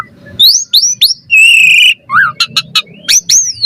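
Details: Asian pied starling song used as a lure to provoke a response, a varied sequence of rising whistles, a sustained buzzy note, and sharp clicking bursts, loud and close with no other sounds.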